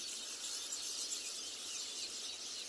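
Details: Village weavers in a busy nesting colony at Phinda Private Game Reserve, South Africa, on a February morning: hundreds of birds building nests, males likely displaying to females, in a dense, unbroken wash of high sizzling, chattering calls.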